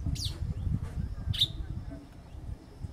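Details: Female burnished-buff tanager giving two sharp, high, quickly falling call notes about a second apart, over a low rumbling background.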